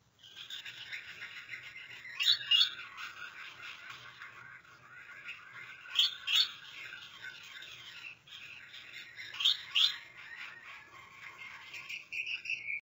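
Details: Gouldian finches in breeding mode, dancing, keep up a thin, buzzy, high-pitched chatter, broken by louder squeaky bursts about every three to four seconds.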